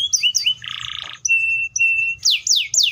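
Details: Canary with short chirps, a harsh rasping buzz, two flat level whistles, and three loud descending slurred notes at the end.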